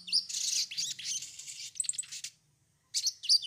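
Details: Sogon song used to coax other birds into song: a long, rich, high warbling phrase that fades out, a short silence, then fresh sharp chirps.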